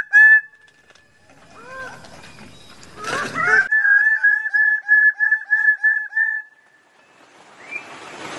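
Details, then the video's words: Wild bird-of-paradise calling: a loud opening note, a few short downslurred calls, a sharp noisy burst, then about eight nasal, evenly spaced honking notes in a steady run, ending with one rising note. "suara burung cendrawasih di alam liar"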